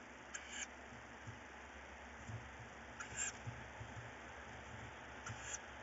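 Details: Night of 4 May 2018: tawny owl chicks contest prey, one chick carrying a bird; three fainter, raspy hiss bursts spaced about two and a half seconds apart, over noticeable low-pitched background noise.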